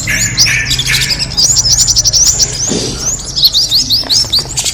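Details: Kemade bird calls used to attract birds: high, thin chirps and quick rising whistled slurs, repeated in rapid bursts, with several birds seemingly calling together over a faint low hum.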